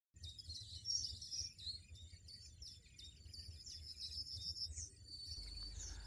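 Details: European goldfinch singing in the wild: fast, tinkling high twitter of short chirps and trills, rising and falling, with a steady low hum underneath.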